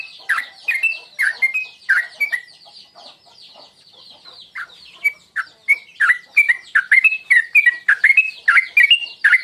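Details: Sooty-headed bulbul lure calls, played to provoke another bird into singing. Bright, chattering chirps and short slurred whistles repeat rapidly in quick bursts, with a brief lull in the middle before the calling resumes densely.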